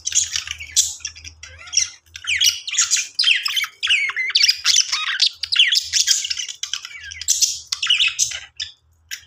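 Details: Budgerigars (Melopsittacus undulatus) playing in their aviary chatter in a busy, continuous warble of rapid chirps, squawks and rising whistles.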